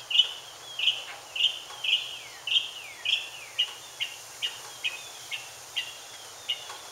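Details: Mockingbird courting with song: a series of about twelve identical high downslurred notes, given roughly every half second, loud at first and growing softer toward the end.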